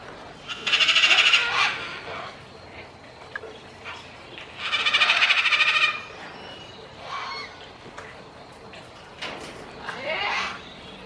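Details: A Major Mitchell's cockatoo, raising its red and yellow crest, gives two loud, harsh, grating screeches about four seconds apart, followed by a few softer, shorter squawks.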